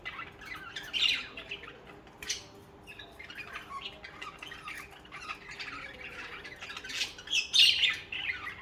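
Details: Budgerigars, social cage birds, singing: quiet scratchy warbling chatter broken by occasional louder squawks, the loudest burst near the end.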